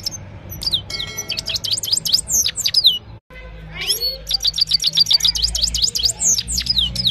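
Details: Himalayan goldfinch in evening song, phone-recorded: dense run of high, liquid downward-sweeping notes, about four per second, broken by a short gap, then continuing lively twitter over a low background rumble.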